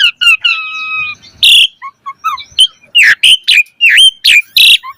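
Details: Asian pied starling singing mompa style with full variation, a tutor for training birds; a drawn-out level whistle, harsh raspy bursts and low clipped notes in a varied sequence.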